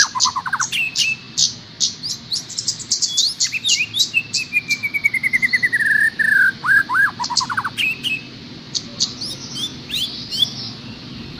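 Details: Long master song for a cage-trained trocok garuda: varied chattering chips and short notes, a long descending trilled whistle in the middle, then scattered high twittering phrases; faint insect-like hiss underneath.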